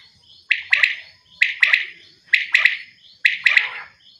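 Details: Female common quail giving four evenly spaced groups of quick, sharp double and triple chirps, each burst falling away into a brief rasp, under a faint continuous high-pitched hum.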